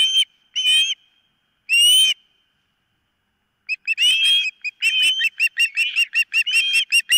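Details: Osprey at the nest, filmed by nest camera on 4 September 2023 around 09:56 in the morning: high whistled, slightly rising notes in short bursts, then a rapid run of sharp repeated chirps, with a faint steady tone behind.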